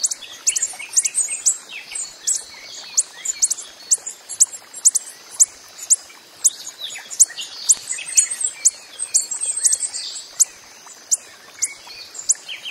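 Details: Hummingbird, the coppery-headed emerald, calling in the wild: a long run of sharp, very high chips roughly twice a second, mixed with soft twittering notes.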